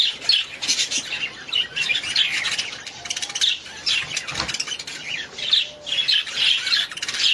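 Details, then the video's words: Budgerigars chattering together, a dense stream of scratchy warbles and short squeaky chirps, with brief pulses of louder twittering every second or so. "Budgies sound"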